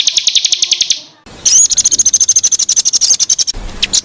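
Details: Bird song filler for training cage songbirds: a quick run of high chips, a short gap, then a thin, sustained whistle over a rapid stuttering trill, ending in scattered faint notes.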